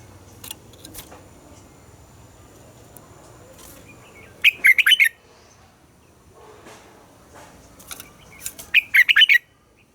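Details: Red-whiskered bulbul morning song for training caged bulbuls, two separate bursts of rapid warbled notes about four seconds apart, with soft clicks and faint chirps between.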